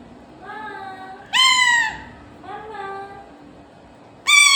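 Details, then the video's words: Parrot trying to speak the word "Mummy": soft, nasal drawn tones alternate with louder, bright, harmonic wailing phrases, each about half a second, then a final sharp loud note, with a low hum behind. "Mummy bolne ki koshish||🙂 talking parrot||bolne wala totta"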